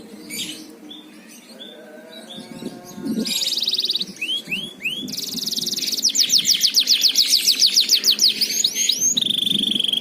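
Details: Canary song played as a lure so other canaries sing readily: varied whistles and swooping chirps build into a loud, fast rattling trill of repeated sharp notes, ending with a held whistle, faint low background hum.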